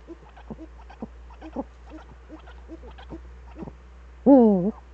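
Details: Eifel eagle-owls on 11 March 2013 at 18:47, after both returned: about four seconds of soft scratching and clicking, then one loud zigzag harmonic call near the end.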